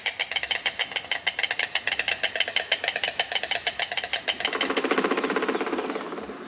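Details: A stork clacks its bill, a non-vocal sound used in mating rituals: a fast, dry, wooden rattle of about nine clacks a second, then a soft rushing hiss.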